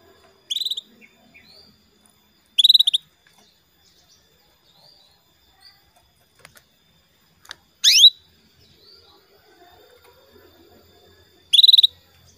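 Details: Female canary calling the male to get him singing: four spaced high chirps, one sweeping sharply downward, separated by quiet gaps with faint clicks.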